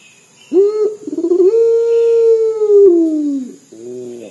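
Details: Local puter dove, a lively bird giving its dor call, said to sound like crying: a sharp opening note, a quick stuttering roll, then a long drawn, slowly falling mournful coo, followed by a softer lower tone.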